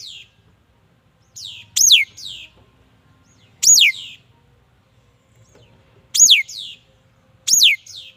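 A songbird gives four high, sharp whistled phrases, each a quick steeply falling note, spaced one to two seconds apart over a faint low hum.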